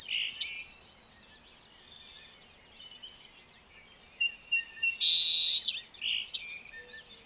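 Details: Song sparrow: a few scattered high chips and soft twitters, then after a quiet stretch a full song of short notes, a strong buzzy phrase, a sharp high note and trailing chips.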